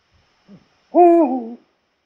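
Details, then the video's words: Eurasian eagle-owl hoot from Poland: a faint short note, then one strong low hoot that holds level and drops toward its end, lasting about two-thirds of a second. "Odgłosy puchacza - głos sowy"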